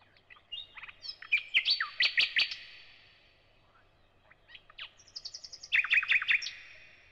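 A thrush nightingale sings two loud phrases of rapid, repeated clicking and whistled notes, separated by a brief pause; background quiet.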